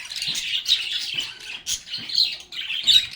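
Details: Lovebirds singing and chatting: loud, squeaky high chirps in short clustered bursts separated by brief dips, several birds calling over one another.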